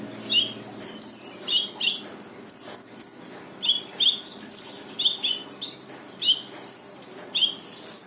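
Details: Lively brown-throated sunbird song with full tembakan, used to make a lazy sunbird start singing: rapid alternating high chirps, some falling and some rising, repeated about twice a second throughout.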